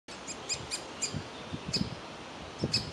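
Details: Young woodpecker sitting in a tree nest hole, begging to be fed while its parents want it to leave; short sharp high calls in quick uneven succession, with low dull thumps underneath.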